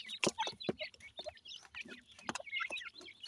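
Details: Black francolin chicks, called Dakhni teetar in Pakistan, feeding in care: scattered high, squeaky cheeps in quick clusters, with loud clicking pecks and soft knocks between them.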